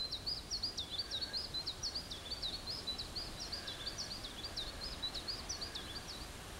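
A nightingale sings a fast, unbroken run of short, high, chirping notes, several each second, over a steady outdoor hiss.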